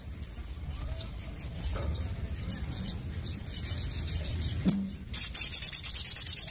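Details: Sogon, a sunbird, singing actively in the 'nembak nglaper' style: scattered faint high chips, then a loud, rapid run of very high, sharp, evenly repeated notes in the last second and a half over low background hum.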